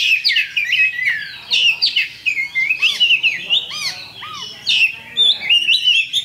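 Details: Oriental magpie-robin lure song of a champion kacer intended to make rivals fight: energetic whistled phrases mixed with harsh chatters and repeated short arched notes.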